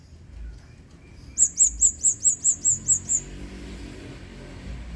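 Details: Blue-crowned hanging parrot (serindit) in lively singing, used as a model for training other songbirds. A run of nine sharp, very high, piercing chips, about five per second, evenly spaced, then quiet.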